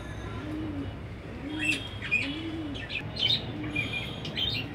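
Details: Three pairs of high flyer pigeon chicks offered for sale, giving soft low coos in a steady repeating pattern, with sharp high chirps from other birds scattered over a constant background hum.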